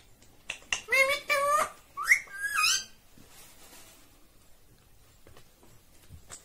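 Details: Talking parrot imitating the words "mummy" and "papa": four harmonic, voice-like syllables in two quick pairs, then near silence with faint room clicks.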